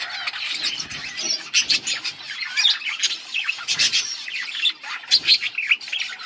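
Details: Budgerigars chirping and singing, August 19, 2024, a steady mix of shrill chirps, clicks and warbled notes, many birds overlapping in a busy, high-pitched chorus.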